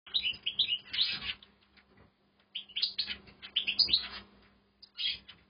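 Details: European goldfinch in an aviary, just beginning to sing: bright, rapid twittering phrases of high chirps and trills in two bursts separated by a short pause, then a brief final flourish, with a faint steady low hum behind.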